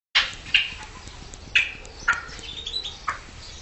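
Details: Red-legged partridges singing, recorded in 2014: harsh, separate chuck notes, roughly one per second, with faint background rustle.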